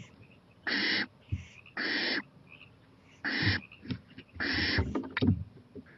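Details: Owl venturing to a porch at 11:26 pm, 23 April 2018, watching a playground; four raspy, broadband hisses of about half a second each, with soft thumps and rustles between them.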